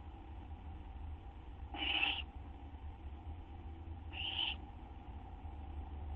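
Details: Owls at a nest shortly after midnight, 6 September 2011, as food is brought in: two rasping, breathy hisses about two seconds apart against a constant low background hum.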